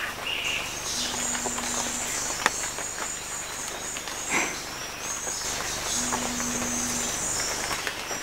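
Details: An umbrellabird at Bilsa, Ecuador, gives two deep, steady, humming booms about a second long, five seconds apart, over constant high insect buzzing and a few scattered clicks.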